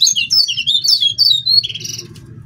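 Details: Loud brown prinia song as a lure for captive or wild birds: a dense rush of high twittering and sweeping chirps, followed by a rougher buzzy phrase, with a low rumbling background.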